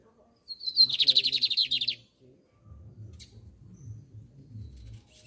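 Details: Double-collared seedeater, a songbird appreciated in Brazil for its song, delivers a loud high whistle that becomes a fast, pulsing trill of about a dozen evenly repeated notes, followed by a sharp chip and quiet human voices.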